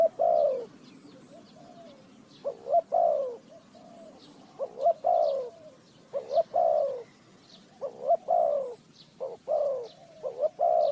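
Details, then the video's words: Repeated low coos of a Spotted dove in a bird-trapping recording from Ninh Thuận, Vietnam; short-long note pairs falling in pitch, delivered continuously, with thin high chirps of other small birds in the background. "The Sound Of the dove,The Sound Of Cuckoo Bird,เสียงนกเขาใหญ่,Bird Trap,Cu gáy Ninh Thuận"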